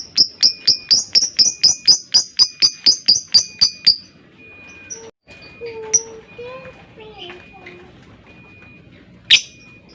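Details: Lovebird delivering a rapid run of evenly spaced sharp chirps, about four per second, for four seconds, then quieter with soft lower whistles and a single loud chirp near the end.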